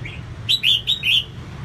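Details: Female red-whiskered bulbul singing to stimulate males: a faint opening note, then four bright, slurred whistles, each rising then falling, in a quick burst over low background hum.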